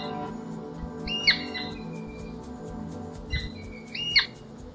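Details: Royal Flycatcher (Onychorhynchus coronatus coronatus) giving loud, clear, sharply ringing whistled notes in two bursts about three seconds apart, over faint background music.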